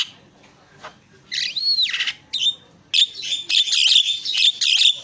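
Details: Javan myna on a tutor recording for songbird training, singing energetically. Loud sweeping whistles and screechy notes give way to a dense burst of squealing, buzzy phrases with short gaps between them.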